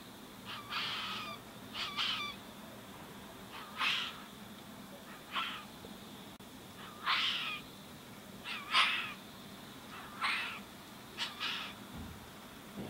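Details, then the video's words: A young Tawny Frogmouth chick being fed by a single parent in a back yard in Greensborough, Melbourne, January: short, harsh, hissing rasps, singly or in quick pairs, every second or two, over a faint hum. "Tawny Frogmouth chick being fed"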